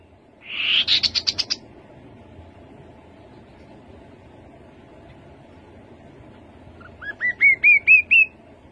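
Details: A dry, rattling burst of rapid buzzy notes opens, then silence, then the rufous-capped babbler's song: a series of six or so clear upward-slurred whistles, rising steadily in pitch and evenly spaced.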